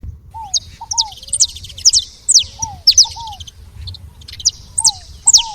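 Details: Saffron finches at a feeder giving sharp, high chirps that sweep downward, in loose bursts, with softer lower slurred notes between them.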